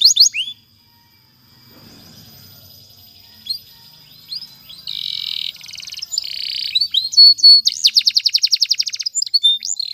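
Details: Canary song for training: after a quiet stretch with a faint low murmur, buzzy sustained tours build, then a fast rolling trill of rapid notes with a rising whistle at the close.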